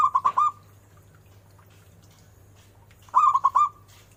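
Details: Zebra dove: two phrases of rapid, rolling, mellow notes about three seconds apart, with quiet between them apart from a steady low hum.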